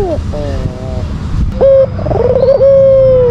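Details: Lure call of a white Barbary dove, used to rile a rival. Soft harmonic tones give way to a clipped note and then one long, level coo that dips slightly at the end over low background rumble.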